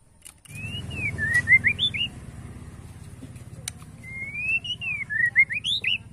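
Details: Caged white-rumped shama of the Borneo type singing in "sujud" style to provoke rivals: clear whistled phrases sweeping up and down, repeated in two bursts with short rising and falling notes, over a steady low hum.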